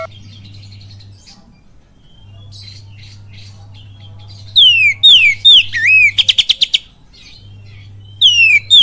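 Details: Oriental magpie-robin singing kapas tembak with cililin: quiet scattered faint notes at first, then loud swooping downslurred whistles, a twisting warble and a fast run of sharp ticks, followed by more falling whistles.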